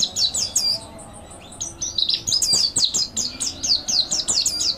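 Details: Rapid high-pitched twittering of a mountain white-eye, recorded as a training master song: lively strings of quick chirped notes in short clusters, with a faint thin tone and soft background hiss underneath.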